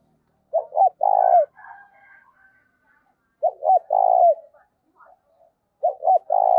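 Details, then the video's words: Caged decoy spotted dove used to attract wild doves, cooing giọng thổ style: three low phrases, each of two quick notes and a drawn-out coo, roughly every three seconds, with faint higher bird calls between. "Chim Cu Mồi - cu gáy giọng thổ thúc cực đỉnh dùng kích bổi hiệu quả"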